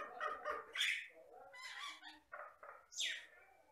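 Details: Batam myna from the Riau Islands giving rough, croaking and squawking notes mixed with soft low calls, closing with a loud, harsh downslurred screech.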